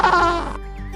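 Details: An emperor penguin, the largest penguin, which breeds in the Antarctic winter, gives a brief, rich, bleating call with a buzzy, trumpet-like tone, followed by a faint, thin rising note.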